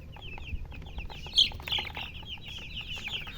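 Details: Young chickens peeping closely, high chirps in quick succession with one louder, sharper peep standing out midway.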